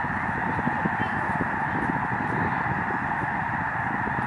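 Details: Large migrating Canadian Snow Goose flock over Lake Springfield in Illinois, recorded from the lake shore; countless honks merge into a steady, loud clamour with no gaps.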